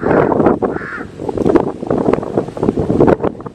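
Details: Crows calling: harsh, rasping caw bursts crowd the whole clip, overlapping one another, with one longer, more tonal drawn-out call early on, all over a steady background rumble.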